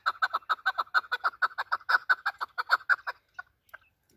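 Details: Native Afghan chukar partridge, kept for hunting, giving a loud, rapid string of rough clucks for about three seconds, then trailing off into a few scattered, fainter notes and silence.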